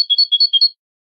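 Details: Canary in malagueño song style, recorded for training: a brief, bright trill of about six notes that alternate between two close pitches, lasting under a second before silence.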